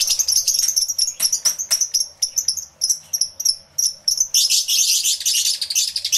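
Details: Many lovebirds in an aviary, recorded with a camera and two external microphones; dense, shrill chirping in rapid overlapping bursts, building into a continuous high twittering chorus toward the end.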